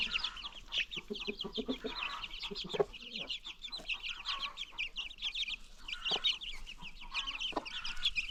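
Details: Baby chicks in a free-range farm flock keep up thin, high, rapid cheeping, mixed with a few short lower clucks and scattered knocks.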